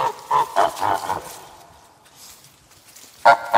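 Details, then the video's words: Goose on a farm giving a quick run of four or five nasal, harmonic honks in the first second and a half, then a quiet pause before one more loud honk near the end. "Som de Ganso"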